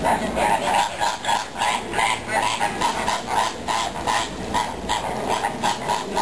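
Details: A flock of greater flamingos at Zoo Vienna on 6 October 2010 gives a dense, nasal, goose-like gabble of honks, about three a second, with many birds overlapping.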